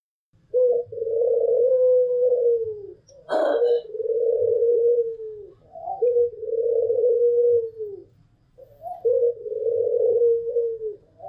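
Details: White pelung Barbary dove and a local dove cooing vigorously: long, rolling, steady coos about two seconds each, repeated with short pauses, with one sharp click in between and faint low hum behind.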